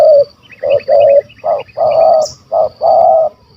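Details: Stuttering, big-voiced spotted dove calling in the 'kuk 1 2' pattern during a hunt in Malaysia: mellow low coos, short notes alternating with drawn-out ones, over faint thin chirps from another bird and a steady high hum.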